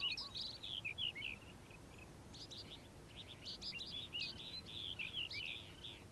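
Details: Calandra lark heard in the morning, giving bursts of high, rapid chirping and trilled notes, with a brief quieter gap before the energetic jumbled song resumes.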